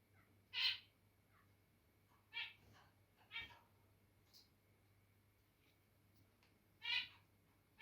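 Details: Kept zebra finches, one acting territorial, giving short nasal, buzzy calls spaced a second or more apart, about five in all, some louder than others, over a faint steady indoor hum.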